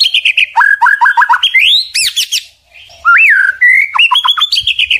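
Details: White-rumped shama (murai batu) song: a series of quick down-slurred notes, bright rising whistles, a short pause, then more rapid repeated notes and level whistles, clean and loud.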